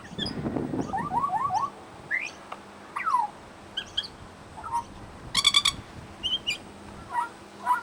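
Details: Pied butcherbird at a bird sanctuary mimicking other birds: a rough low burst, a series of quick falling whistled slurs, scattered sharp high notes and a brief harsh rattling chatter.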